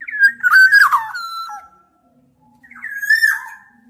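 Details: Black-naped oriole giving two loud, fluty whistled phrases around a steady mid pitch, each sliding and wavering with rich overtones, separated by a second of silence.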